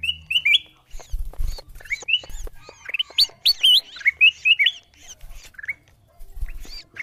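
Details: Lure call of a bulbul used to bring wild birds in: scattered, bright, twisting chirps, some rising sharply, with intermittent low thumping sounds beneath.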